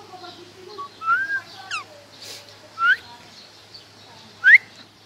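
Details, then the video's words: A talking parrot makes a series of sharp, rising whistles and short chirps, about every one to two seconds, with brief quieter murmurs between them. "Funny Parrot Talking"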